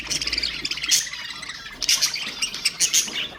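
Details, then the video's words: Budgerigar warbling, played to stimulate other birds: dense fast twittering and buzzy chatter, near-continuous, with brief bright whistled notes standing out. "اقوى أصوات طيور البادجي طيور الزينة أصوات تحفيز الطيور"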